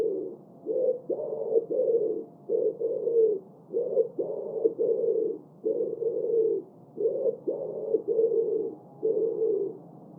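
Common Wood Pigeon cooing in low, husky phrases of about five gruff notes, the phrase repeated with short pauses between notes.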